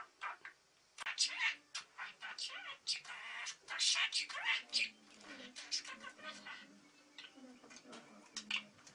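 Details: Two pet budgerigars kept at home chattering: a busy stream of scratchy, squeaky notes and short clicks, uneven in rhythm, with quiet pauses between bursts.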